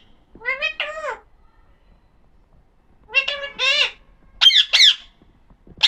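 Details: Talking Alexandrine parakeet (pahadi parrot) producing speech-like groups of clipped, nasal syllables, two phrases of several quick notes, followed by sharper harsh squawks toward the end.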